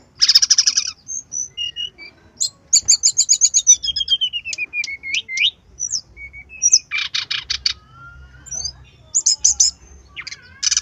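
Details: Lure recording of a brown-chested jungle flycatcher: a dense buzzy burst, a long quick series of chattering notes ending in a falling slur, scattered sharp notes, then further buzzy bursts.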